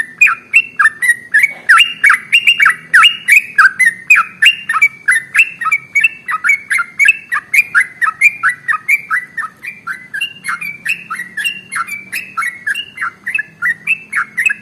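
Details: Trucukan, the sooty-headed bulbul, in a long unbroken ropel song used for prompting caged birds to sing: fast run of bubbly, downslurred whistles, over three notes a second, continuing without pause.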